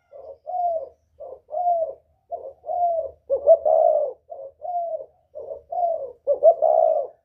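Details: Northern-style spotted dove with a whistle-like voice, calling to provoke wild doves: short soft coo pairs alternating with two louder stuttered, drawn-out hoots, in an even low-pitched rhythm.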